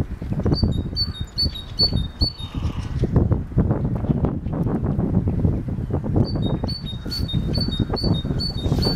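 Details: Great tit singing two bouts of its repeated two-note high, see-sawing whistle, about five phrases each, separated by a pause. Loud rumbling and clattering noise runs throughout.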